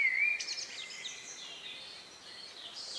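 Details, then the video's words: Evening birdsong in the countryside a few minutes before nightfall, recorded outdoors around 9 p.m. on May 2, 2020 with Neumann KM184 microphones in ORTF: a brief rising whistle, then faint high twittering phrases over quiet background. "relax sound of bird in the evening"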